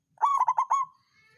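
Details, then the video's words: Local zebra dove, songgo ratu type, sung as a lure to stir rival birds' breeding urge and prompt lazy singers: one loud phrase of five quick, rolling cooing notes, then a trailing soft tone. "Perkutut lokal songgo ratu suara pancingan naikan birahi lawan ampuh buat terapi burung malas bunyi"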